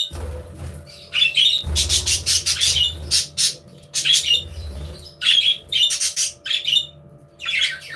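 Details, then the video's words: Aviary budgerigars chattering in rapid bursts, with clear whistled notes woven into the scratchy warble over a steady low hum. "Happy Budgies Sounds"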